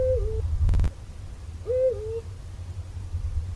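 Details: Two deep, slurred hoots from a Eurasian eagle-owl, each swooping up and then falling away, separated by a brief sharp knock; a low droning hum fills the background throughout.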